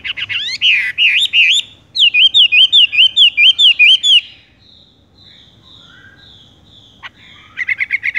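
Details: Rolling 'tung roll gantung' song of a Horsfield's bush lark: wavering whistled phrases, then a rapid series of looping upslurred notes, a soft pause with thin high whistles, and a resumed fast trill.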